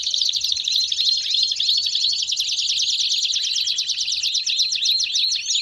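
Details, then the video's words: Belgian canary song: a continuous, bright, high trilling chorus of rapid buzzy notes, shifting midway into clearer repeated downslurred chips while the rolling texture carries on throughout. "CANÁRIOS DO REINO CANTANDO!!! BELGIAN CANARY SINGING!!!"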